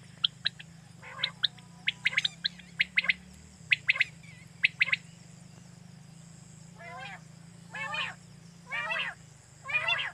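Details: Quail calling, played to lure birds for night hunting in Pakistan. Quick sharp chirps come in clusters at first, then give way to four longer, harsh, rasping calls about a second apart, all over a low continuous hum.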